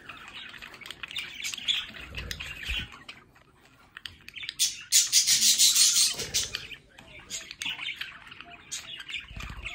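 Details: Pet budgerigars at home chattering in scratchy warbles and clicks, with a loud harsh rasping burst of calls near the middle, then softer chirping and low knocks.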